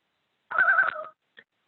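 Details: An Adirondack Common Loon gives a brief, quavering tremolo, an agitation distress call held near one pitch for about half a second, then a single soft chip, upset by a photographer too close.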